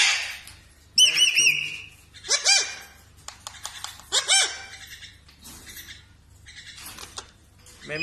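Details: Mimicking parrot giving a sustained wavering whistle, then a few harsh rasping squawks and scattered clicks, while a voice repeats "me too" nearby.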